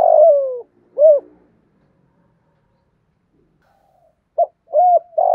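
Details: Spotted dove, 'hạp bổi' style song combining call, urging and coo to stimulate other doves: a buzzy falling phrase and one arched coo, a quiet gap of three seconds, then a clipped note, a coo and a buzzy phrase.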